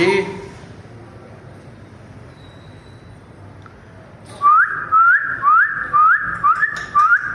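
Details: Grey parrot whistling: after a quiet start, a series of short rising whistles, about two per second, clear and repeated over low background rumble.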